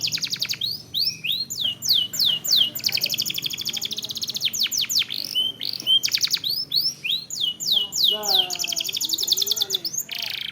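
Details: Continuous canary song meant to trigger singing, packed with rapid downward-slurred whistles and quick trilled rolls, repeated in bursts several times a second, with a lower warbled phrase near the end.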